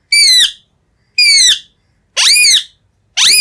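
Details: Green ringneck parrot indoors repeating a loud, shrill, slightly wavering screech roughly once a second, four times, each call rising then falling in pitch with a grating edge.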